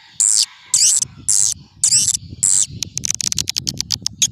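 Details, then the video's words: Old-style swiftlet lure call used to attract swiftlets: five buzzy high chirring bursts about half a second apart, then a fast run of short sharp clicking chirps. "Suara Panggil Walet SUPER JADUL"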